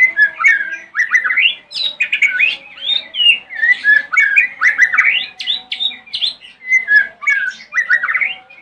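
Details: Morning song of a white-rumped shama, played to make other shamas respond: a rapid, varied torrent of whistles, chattering notes and sharp rising slurs, delivered in quick pulses with no pauses.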